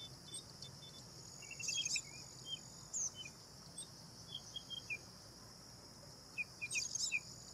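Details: Bank myna (Acridotheres ginginianus) giving scattered short, sharp chirps and whistled notes in loose bursts, with a steady high insect-like drone in the background.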